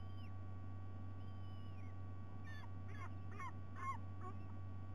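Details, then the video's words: White-bellied sea eagle at a nest in Sydney Olympic Park, Australia, with intruders present and live fish brought for breakfast; a run of five or six harsh, honking notes with a quick repeated rhythm, over faint whistles and a steady low hum. "Sydney White-bellied Sea-Eagle - Bieliki Białobrzuche - INTRUZI"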